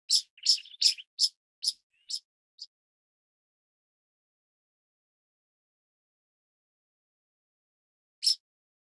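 Pied kingfisher giving a burst of seven sharp, high, squeaky chips that slow and fade, then a single chip after a long silence.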